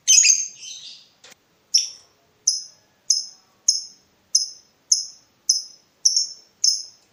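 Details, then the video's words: Lovebird in breeding mood calling to provoke a rival: an opening harsh squawk, then a steady series of about nine short, sharp, high chirps repeated every 0.6 seconds. "BURUNG LOVEBIRD MENCARI LAWAN || LB MANAPUN PASTI NYAUT BUNYI"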